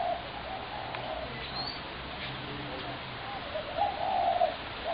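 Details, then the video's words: Spotted dove heard on 21 January 2017: mellow low cooing notes at the start and a stronger drawn-out coo near the end, over steady background hiss. "Spotted dove horrendous racket"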